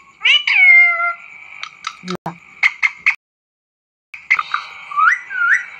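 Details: Pet talking parrot eating an apple: a bright falling whistled call, then short clipped harmonic notes and a brief knock, a pause, and wavering rising voice-like calls.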